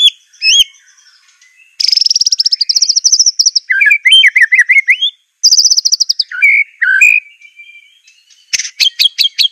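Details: Aceh White-rumped shama song used as a training master: varied whistled phrases, fast rattling trills and warbled rising and falling notes, ending in a burst of rapid high chirps; no other sounds.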